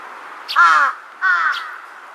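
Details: Large-billed crow recorded 2 September 2022, calling as if answering distant crows; two loud harsh caws about half a second apart, each rough and ringing, over a steady low background hum.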